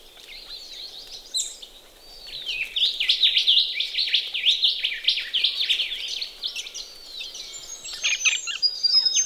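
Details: Ring-necked parrots bathing together at a pond on a chilly morning in Australia; a continuous, overlapping chatter of squeaky, upslurred chirps builds and swells, with splashing clicks at the end.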